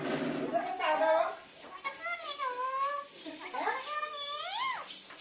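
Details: Talking parrot producing a run of voice-like syllables indoors. Wavering harmonic phrases dip and rise, and the last phrase sweeps upward sharply at the end, over a low room background.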